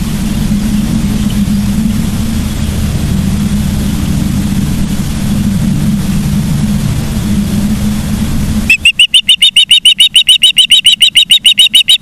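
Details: Charlo, Montana osprey nest camera, 15 September 2023 near 12:55: long low rumbling noise like wind or passing traffic, then a steady series of shrill chirped whistles, about three per second, begins near the end.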